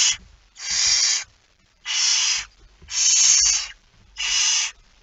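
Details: Barn owl with a mouse, 17 September 2019 at 01:49: four rough hissing screeches spaced about every 1.2 seconds, quiet gaps between, faint low rustles.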